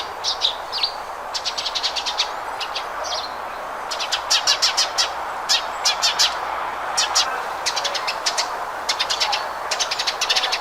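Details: Sparrow singing: bursts of rapid, sharp repeated chirps trilled in short series every second or so, over a steady background hiss.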